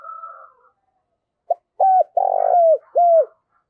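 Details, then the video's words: Lure spotted dove calling intensely to provoke rivals: a brief tap note, a bent coo, a long coarse rolling purr, then a final falling coo. Faint chatter from other birds opens the recording. "cu gáy thúc và gáy gọi cực sung, tiếng chim cu gáy kích bổi"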